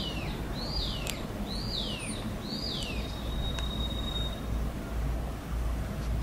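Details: Unidentified bird heard outdoors, giving clear downslurred whistles that fall in a sweeping arc, three spaced about a second apart, then a thin flat whistle, over a steady low rumble of background noise.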